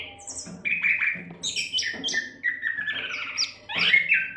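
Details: Continuous Oriental magpie-robin song meant to train other songbirds: rapid chain of sweet whistles, slurred descending notes and scratchy high chips packed closely together, with a low background hum.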